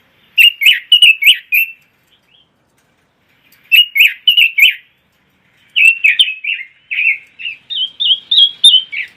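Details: Red-billed leiothrix, a small imported songbird from China, Taiwan and the Netherlands, kept for song training and competition: bright warbled phrases of five to eight quick rising-falling notes, separated by pauses of about two seconds, the last phrase longer and more whistled.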